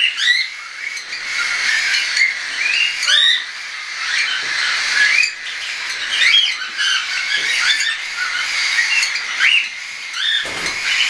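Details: Many hand-tame young cockatiels, weaned and unweaned, during flying, recorded 10 September 2012: a busy stream of quick rising chirps, repeated roughly every second, overlapping within noisy flock chatter.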